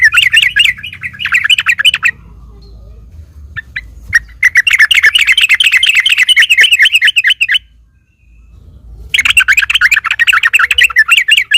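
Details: Provoking fighting song of a sooty-headed bulbul, used to make other bulbuls sing back: three long bursts of dense, rapid, scratchy chattering separated by quiet gaps, over a faint low hum.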